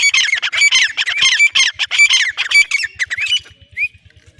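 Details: Female black francolin (teetar) calling, kept bird: a dense run of harsh, grating squawks and chattering notes for about three and a half seconds, ending in one short rising whistle, over a steady low regular ticking pulse.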